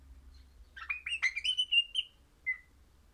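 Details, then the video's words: Crimson rosella, a pet parrot described as happy and orange, singing: a quick run of clear whistled notes climbing and holding steady, broken by one short harsh chatter, then a single lone whistle after a pause. "Happy Parrot Crimson Rossela Pennant Orange Singing"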